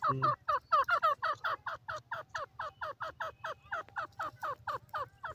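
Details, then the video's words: A grey francolin (teetar) calls in a loud, rapid series of harsh rising notes, about four each second, at an even pace for the whole stretch. A low hum sits underneath. "teetar bird calling sound, teetar bird voice"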